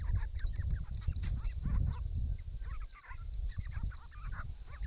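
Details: A camera trap at a pond in regional Victoria, Australia, records wild Grey-crowned Babblers bathing and calling to each other in hot weather. Dense, overlapping chattering notes run throughout above heavy low splashing noise.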